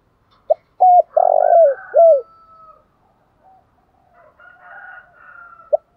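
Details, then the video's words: Spotted dove singing in the giọng thổ pha đồng style: a brief low coo, a clipped note, a long burry rolling coo and a falling final coo, followed by faint sweeping notes from another bird and a last short coo. "cu gáy giọng thổ pha đồng"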